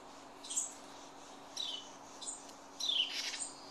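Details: Protective parent birds that nested in a garage fuss while their three fledglings leave the nest on their first flight: three short, thin, high chirps, the last a descending slurred note, over a steady background hiss.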